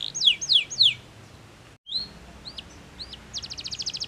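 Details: Canary singing powerfully to stimulate rival singers: three loud descending whistled sweeps, a brief gap, then scattered rising notes and a fast buzzy trill at the end.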